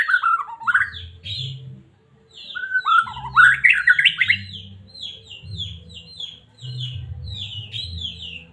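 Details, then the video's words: Medan white-rumped shama song used to excite and provoke a caged shama: a loud, downward-sliding whistled phrase, a pause, then a swirling rich phrase followed by a series of short, high, chipping notes, with a low hum beneath. "Murai batu cocok buat pancingan burung anda"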